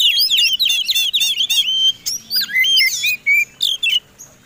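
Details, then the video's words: White-rumped shama in fighting song meant to provoke rival birds to sing, a rapid varied stream of rich whistles, sweeping slurs and buzzy trills, several notes each second, tapering off after four seconds. "Suara Kombinasi Kacer Tarung Super Gacor"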